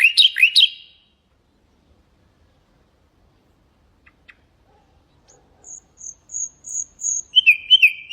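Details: Singing common nightingale used as a tutor for goldfinches and canaries: a few sweeping trilled notes, a long pause, then high thin whistles repeated and lower, rapid warbled notes closing the phrase.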